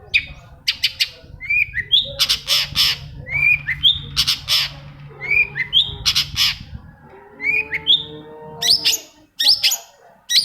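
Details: Long-tailed shrike singing to prompt other shrikes: a lively varied sequence of harsh squawky bursts mixed with rising and falling whistles, some steady lower tones near the end, constant low hum.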